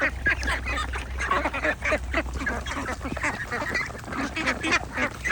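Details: Ducks and young ducklings in a busy group, continuous chatter of short nasal quacks tumbling over one another, steady background drone.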